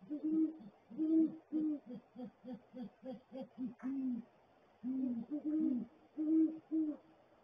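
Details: Pair of great horned owls at a nest barrel at 7:19 AM on 13 January 2022; the male hoots and makes gular sounds, the female's hoot is higher. Deep, soft hoots: longer hoots framing a quick run of about ten short, even hoots.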